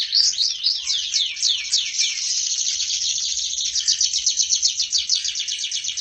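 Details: Canary in full, lively song, described as a prize-winning bird: rapid descending sweeps give way to a fast, even trill of bright notes repeated about four times a second, continuous throughout.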